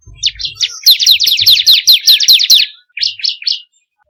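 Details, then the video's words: Bar-winged prinia (ciblek kristal) song used as a training lure for caged birds: a fast, steady string of piercing high chirps, followed by a brief pause and three separate higher notes. "pancingan burung ciblek kristal paling ampuh || mp3 burung ciblek"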